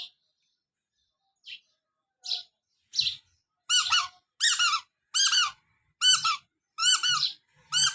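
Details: Colourful chicks chirping, kept under veterinary care with a heat source: about nine short, arched, high peeps spaced under a second apart. The first few are faint and the rest are loud, with soft low thumps among them.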